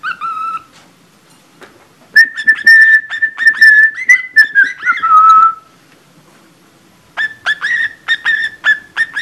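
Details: Caged pet budgerigar copying a cockatiel's Mickey Mouse March whistle, sung poorly: one brief note, a pause, then a long warbling whistled phrase that dips at its end, followed by choppy clipped notes.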